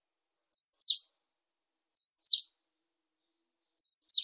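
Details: Great tit song variant: a thin, steady, very high whistle followed by a quick downslurred note, the pair repeated three times at intervals of under two seconds, in an otherwise silent setting.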